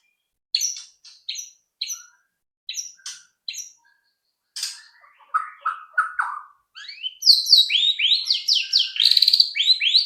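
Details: White-rumped shama song used to stimulate other birds to sing: spaced sharp high chips, then lower mellow warbles, building into a fast sequence of rising and falling whistled notes.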